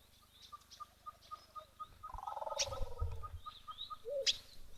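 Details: At an African waterhole on 20 February 2025, an African mourning dove gives a distinctive purring, rolling coo lasting about a second, over a steady rapid ticking note, other bird chirps and low rumbling.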